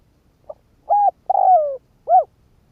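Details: Decoy spotted dove cooing to lure wild doves: one full phrase of a faint opening note, a steady hollow coo, a long coo sliding downward, then a short rising-and-falling coo.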